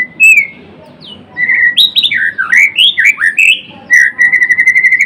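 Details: A white-rumped shama, Blorok type, in gacor song: a bright whistle, then a rollicking run of looping slurred notes, ending in a rapid even trill of repeated high notes.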